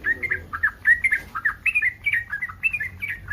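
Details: Breeding yellow-vented bulbul giving an excited mating call meant to draw replies from other bulbuls: a rapid, warbling chatter of gurgling notes rising and falling, with a faint low background rumble.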